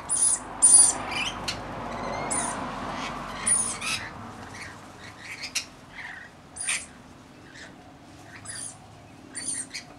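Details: Rainbow lorikeets, a flock of about 40 tending a single baby: sharp, screechy squawks and shrill chatter in irregular bursts, several birds calling over a soft background hum.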